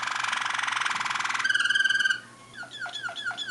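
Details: Waterslager (Malinois) canary song recorded in Bucharest, Romania, in 2015: a deep rolling trill, then a clear pulsed bubbling run, then slow falling water-like notes repeated.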